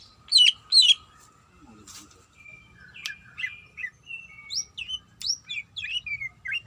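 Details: Greater green leafbird, a female calling to the male while in breeding condition: two loud ringing chirps, a quiet gap, then a string of thin, softer whistles and slurred notes repeated roughly twice a second.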